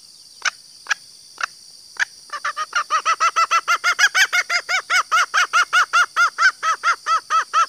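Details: Female green junglefowl call used to lure males. A few scattered clicks, then a rapid run of about twenty arched, nasal notes repeated roughly every quarter second. A faint steady high hiss lies underneath.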